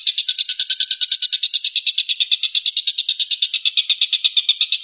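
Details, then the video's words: The 'tembakan' song of a stork-billed kingfisher, called tengkek buto locally: a harsh, dense, machine-gun chatter of rapid buzzy pulses that runs on without pause. "kicau tembakan burung tengkek buto"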